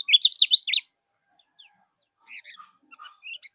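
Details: Kecial kuning (common iora) training song for contest birds: a short loud burst of rapid looping whistles under one second, followed by faint scattered chirps and quiet notes.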